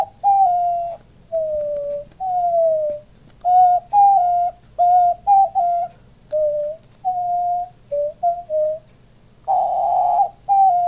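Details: Owner and male diamond dove cooing indoors; the bird puffs up each time he coos. Soft hooting tonal notes come singly and in quick pairs, some sliding downward, followed by a loud, hoarse, breathy burst.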